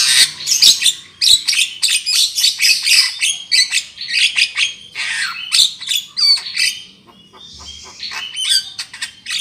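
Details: Black-winged myna used as a trapping lure: a loud, continuous chatter of rasping squawks and sharp whistles, dense and fast with a brief softer pause near the end.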